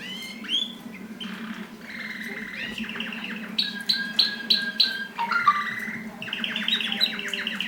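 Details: Mosaic canaries during mating: whistled phrases at two pitch levels give way to fast rattling trills and short repeated notes, over a steady low hum.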